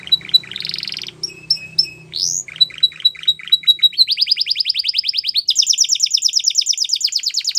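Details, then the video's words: Singing Belgian canary delivering clipped whistled notes and short upslurs, then accelerating rapid trills that rise in pitch toward the end; faint low hum underneath early on. "Melodies Canary Bird Song | Belgian Canary Singing"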